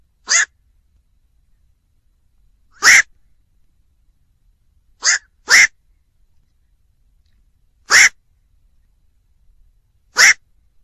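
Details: Rough, abrupt croaks from a black-crowned night heron, six calls over about ten seconds at uneven spacing, one pair given close together, in otherwise quiet surroundings.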